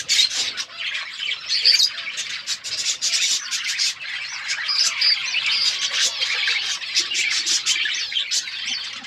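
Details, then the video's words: Aviary budgerigars, described as wild budgies, kept outdoors, chirping together: an unbroken layer of high squeaky warbles, quick chirps and scratchy notes, lively and evenly loud throughout. "Wild budgies in my outdoor aviary birds chirping sound"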